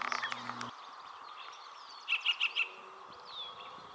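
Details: Yellow-breasted chat singing in May 2021 at Springbrook Prairie, Naperville, Illinois: a quick run of four short, evenly spaced clipped notes at mid-high pitch, over a steady low hum and faint distant bird calls.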